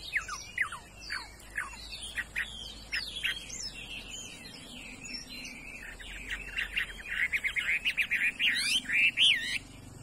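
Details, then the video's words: Chinese hwamei offered for sale and prized for its fine voice: a loud, varied song of rapid whistled notes and sweeping slurs, quickening into a dense run of fast repeated trilled notes toward the end. "mi đảo giọng hay"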